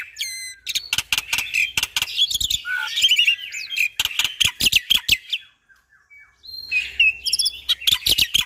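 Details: Black-winged starling in full, constant song packed with shot-like notes. High whistles, scratchy chattering and clicking bursts run almost without a break, then a short silence and more harsh warbling.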